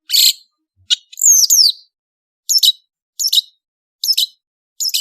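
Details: Madura long-tailed shrike singing: a harsh rasp, then a cluster of high looping whistled slurs, followed by short scratchy chirps repeated roughly every three-quarters of a second.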